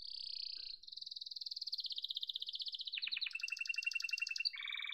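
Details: Yellow domestic canary in full song, stringing together rapid high rolling trills about four notes a second in cadence, each tour dropping lower before a final buzzy phrase.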